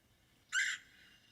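A Red-headed Woodpecker gives one harsh, buzzy call of about a quarter second, then a faint hum.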